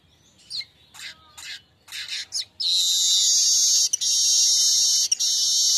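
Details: Streaked weaver lure song meant to set other birds singing: several short buzzy notes, then a sustained high sizzling buzz lasting over three seconds, briefly broken twice.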